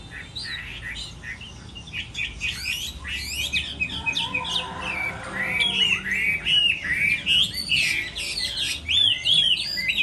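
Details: Chinese hwamei singing in a song contest during its moulting season. Rich, varied whistled phrases pour out in quick succession, with sweeping and trilled notes. They grow louder and more fluid in the second half, over a faint low background rumble.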